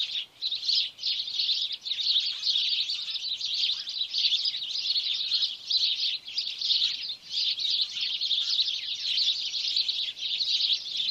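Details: Sparrows, small birds that often nest near buildings: a steady, busy chorus of high chirps and twitters from many birds, overlapping without pause and dipping only briefly in loudness.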